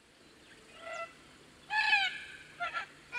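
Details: Red-tailed black cockatoo (Calyptorhynchus banksii) in tropical woodland, Atherton Tablelands, Queensland, Australia, giving three harsh, rolling, trumpet-like calls: a faint one, a loud drawn-out one, then a shorter one; Pacific koel and lorikeets may call in background.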